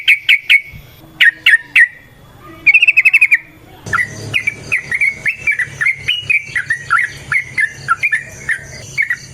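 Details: Yellow-vented bulbul in energetic, long rapid fighting-style song, used as a lure to make other bulbuls sing back: a few separate slurred whistles, a brief buzzy burst, then a fast run of bubbly, warbled notes repeated several times a second.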